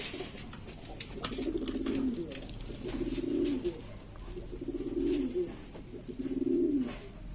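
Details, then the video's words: Several breeds of pigeon from East Lombok, Indonesia, a clamorous group of hobbyists' birds. Throaty, vibrating coos arrive in four clear bouts spaced about one and a half seconds apart, with light knocks between them. "macam2 jenins burung merpati atau burung dara Lombok , dan burung merpati ini ribut sendiri"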